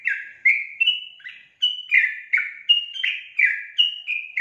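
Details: Energetic song of a sooty-headed bulbul: quick, bubbly, two-toned chirping notes tumbling one after another at a brisk, uneven pace, each note sliding downward, with no other sounds.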